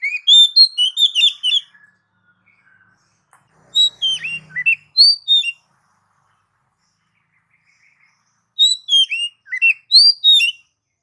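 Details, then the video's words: Oriental magpie-robin song in three separate bursts of rapid, varied whistles and sharp chirps, each phrase about two seconds long with quiet pauses between. "Suara Burung Kacer 100% ampuh ngacor"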